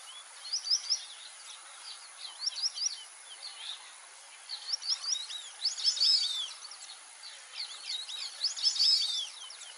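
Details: In the Pantanal, several white-faced whistling ducks give clear, high, three-note whistles in overlapping bursts every few seconds, over a faint steady hiss.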